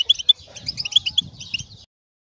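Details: Short burst of European goldfinch mating calls meant to stimulate males during moult: quick, bright chirps tumbling together, then stopping abruptly into silence; a low rumble runs beneath.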